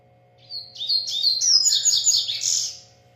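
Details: Double-collared seedeater from a breeder singing a lot: a fast sequence of high, sweet whistles and chirps that rise and tumble, then end in a trilled burst, with a faint steady background hum.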